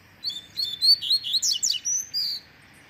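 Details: A double-collared seedeater sings its tui tui zel zel tutor song for young birds: paired whistled notes, then quick falling buzzy slurs and a sustained high whistle at the end.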